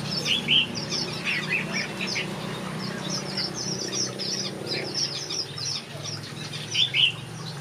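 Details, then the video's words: Many finches sing in a backyard aviary. Quick, high twittering notes run without a break, and a few louder, sharper chirps stand out near the start and end. A faint low hum sits underneath. "Watch these finches sing a beautiful melody in my backyard"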